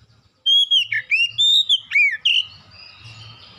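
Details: Oriental magpie-robin song as a lure to make birds sing: after brief silence a fast sequence of loud whistles, dipping and rising slurs with crisp high overtones, ending in a softer fading phrase over low hum.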